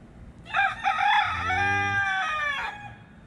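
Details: Rooster crowing at a workplace in Saudi Arabia in the Middle East: one loud, hoarse, drawn-out crow lasting about two seconds, rising at the start and fading at the end, with a man's voice briefly over it.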